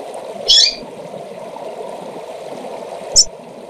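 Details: Calling female double-collared seedeater used to excite males: a sharp high chip, then a second shorter one roughly two and a half seconds later, with constant low rushing noise throughout.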